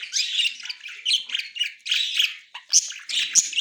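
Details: Chattering budgerigars, a white male with a yellow-green female, recorded October 30, 2024; bursts of high scratchy warbling and sharp squeaky chirps come in quick pulses about every half second.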